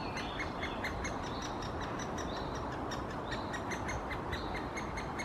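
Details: Great spotted woodpecker nestling in a nest hole in Helsinki, Finland, June 2021, gives a fast, steady chatter of short, high squeaky notes, several per second, as the female parent visits to feed it; constant low wind rumble.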